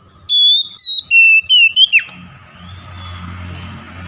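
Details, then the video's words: Oriental magpie-robin song meant to draw quiet birds into singing: after a moment's silence, five or six clear whistled notes fall in stages to a sharp down-slurred ending, followed by low room noise. "PANCINGAN KACER BISU MALAS BUNYI AGAR CEPAT NGEPLONG DAN GACOR"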